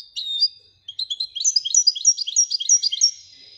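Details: European goldfinch, called royal goldfinch, singing: a fast, sweet twittering run of high chirps and short whistles that builds and quickens after a brief pause, notes tumbling several per second, with no other sounds.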